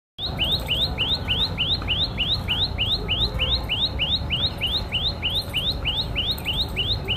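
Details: Common tailorbird (Orthotomus sutorius) repeats a sharp, high, upslurred chirp about three times a second in a steady run, over a low rumble of background noise.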